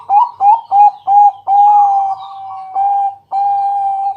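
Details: Close, clean song of a loud zebra dove (Bangkok type) used at night to coax other doves into singing. Four quick, clipped coos lead into long, steady whistled notes broken by brief pauses.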